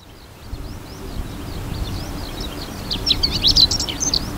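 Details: Male Chestnut-eared Bunting singing on its breeding grounds in seaside grassland by the Ota River, Hiroshima, Japan, 8 June 2020, from a tall grass-head perch; a burst of bright, jumbled chips near the end over faint twittering skylarks and cisticolas, with low rumble.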